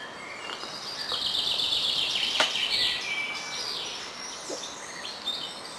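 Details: Springtime bird chorus in Friesland, the Netherlands: several birds give high, thin chirps and quick trills that overlap, with short twittering bursts and a steady hiss of background noise.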